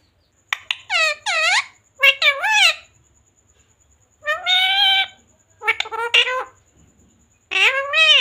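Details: Pet parrot imitating Hindi words like "mummy" and "papa", delivering a string of shrill, warbling, speech-like phrases with arching tones in two bursts separated by a pause, with a faint steady whine behind.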